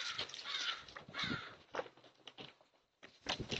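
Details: Crows in a yard where puzzles with food have been put out, calling to alert the neighbourhood; harsh, rasping caws come in quick repeated bursts, several overlapping, with brief pauses between.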